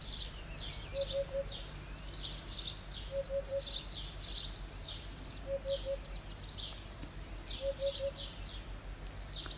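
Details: Eurasian hoopoe singing: four phrases of three soft, low 'oop' notes, repeated roughly every two seconds. Busy high-pitched chirping from other birds continues throughout.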